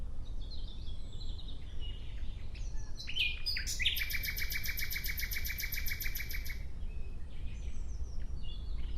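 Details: Nightingale singing: after a few soft, scattered whistles, a loud phrase opens with rising notes and then runs into a fast, even, rattling trill of rapidly repeated notes lasting about three seconds. Faint whistles follow against a quiet, low background hum.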